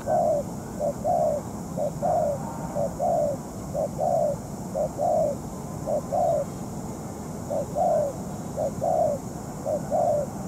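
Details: Spotted dove serving as a ground decoy during trapping, in moult; repeated paired coos, a quick note and a longer falling note, rhythmic over ten seconds with background hiss.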